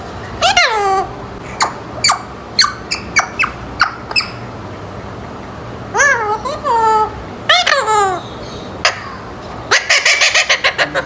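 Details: Pet Alexandrine parakeet, eight months old, trying out its first words indoors: short clicks and sharp squeaks, several falling harmonic-rich whistled utterances, then rapid raspy chatter at the end.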